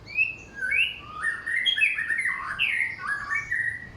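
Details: Samyong singing a loud, clear song of forest material, a varied run of short whistled phrases that slide between lower and higher pitches in quick succession, with brief pauses and quiet background.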